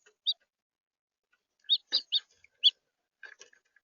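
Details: A red house finch in central Florida gives a handful of short, high chirps at an uneven pace, some doubled, then softer scratchy notes, with quiet between them.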